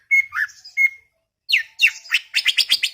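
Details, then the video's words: Chattering greater green leafbird in a garden: clear level whistles and a warble, a short pause, then loud downslurred notes building into a fast buzzy chatter. "CUCAK IJO cerewet bin bawel"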